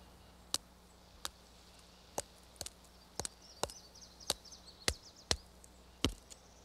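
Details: Pileated Woodpecker whacking wood in slow, irregular single blows, one every half to one second, hunting carpenter ants, its favourite food, in timber, with a faint high hiss in the background.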